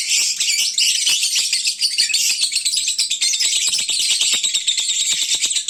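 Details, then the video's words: Lovebirds calling at midday when full and sleepy, their noisiest time: a loud, continuous wall of shrill, high chattering and squeaks with rapid sharp clicks throughout, dense like a bird market. "Kicauan Lovebird saat mengantuk"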